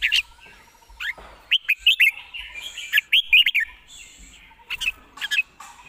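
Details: Red-whiskered bulbul delivering quick, slurred whistled phrases in two bursts, with a rapid steady series of faint lower ticking notes from another bird in the background.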